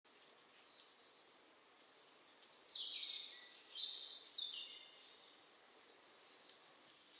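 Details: A goldcrest (Regulus regulus) sings very high, thin, rapidly repeated notes, with a few quick descending twittery runs through the middle, over a soft outdoor hiss.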